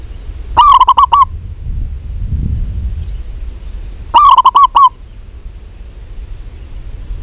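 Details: Zebra dove, local type, female calling a male. Two clipped, stuttering coo phrases of five to six notes each, about three and a half seconds apart. Faint high chirps and soft low rumble between them.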